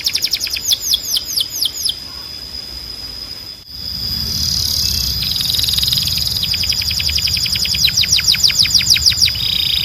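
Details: Canary song used to tutor young birds: quick falling notes, a short pause with low background rumble, then buzzy notes building into a long run of rapid repeated downslurs.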